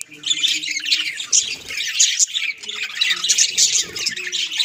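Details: Several budgies in a household chattering nonstop, a dense stream of high scratchy warbles and squeaks with bright ticking notes, and a low hum in the background.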